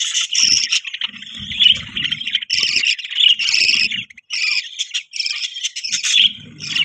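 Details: Budgerigars chirping: continuous chattering warble of buzzy, scratchy notes and high chirps in overlapping bursts, with brief gaps, plus low rustling and thumping sounds underneath.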